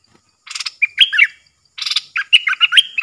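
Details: Caged decoy bulbul calling to wild birds. Two bouts, each opening with a harsh, buzzy chatter and followed by bright whistled phrases of slurred, warbling notes. The second phrase is longer.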